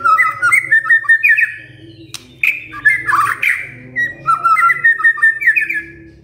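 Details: White-rumped shama singing, played to get other shamas to reply: strings of bright slurred whistles and quick chattering notes in varied phrases, a harsh burst midway, over a steady low hum.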